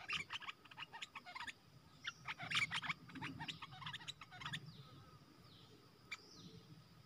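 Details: Decoy red-whiskered bulbul, caged, in 'dok taeng' song style to attract wild birds, September 2021; rapid, uneven series of crisp chirps and warbles that thin out toward the end, with faint higher calls behind.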